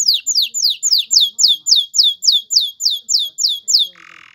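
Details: Male canary song to bring a female into breeding condition and nest building: a steady tour of about fifteen identical downward-slurred whistles, roughly four per second, ending in a short hiss.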